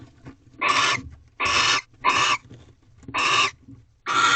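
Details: Barn owls in a nest box at night, part of a mating ritual on the twelfth night, 1:13 am, 3/2/23: five loud, raspy, noisy hisses of about half a second each, following closely one after another, with faint rustling between.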